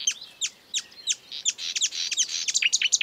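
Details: A wild marsh warbler gives sharp downslurred chirps spaced under half a second apart, breaking into a rapid, buzzy, chattering warble.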